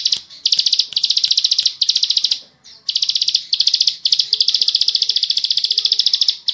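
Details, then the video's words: Bar-winged prinia delivering fast 'ngebren' trills for song training, a high buzzy rattle in bursts of around one second separated by short pauses, then a longer unbroken run, with faint lower sounds behind. "Masteran burung Ciblek Sawah/klik Ngebren Panjang Speed rapat"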